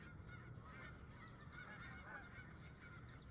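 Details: Sunrise by a campsite with wild geese, many birds honking together in a busy, uneven chorus of short nasal calls over a low background rumble.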